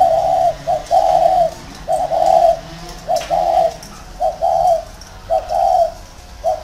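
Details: Spotted dove decoy in a round cage repeating its cooing phrase, a short note then a longer hollow coo, roughly every second and a half, with pauses between.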